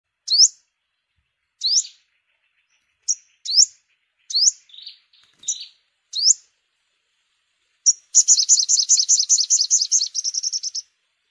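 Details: Yellow-bellied sunbird recorded as a trapping lure for bird season: sharp rising high chips spaced one to two seconds apart, then a fast buzzy trill of repeated notes near the end.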